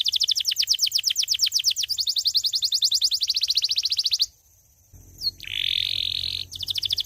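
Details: Canary singing: fast rolling trills of sharp repeated notes in several phrases, a brief pause near four seconds, then a sustained bright buzzy note before the rapid trill resumes; faint low background hum.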